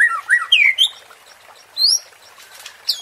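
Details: White-rumped shama (murai batu) provoking lure song meant to rouse fighting emotion: a few loud swooping whistles climbing in pitch, then pauses broken by single upslurred high notes.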